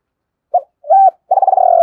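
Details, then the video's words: Spotted dove coo meant to stimulate decoy doves: a brief soft note, a rising-then-falling mellow coo, then a long tremulous, purring coo at low pitch. "Tiếng cu gáy dùng kích bổi mỗi ngày"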